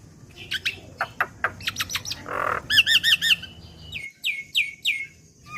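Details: Young black-winged myna on a training lure recording: scattered sharp chips, a low harsh squawk, a bright wavering trill, then three descending slurred whistles in steady succession.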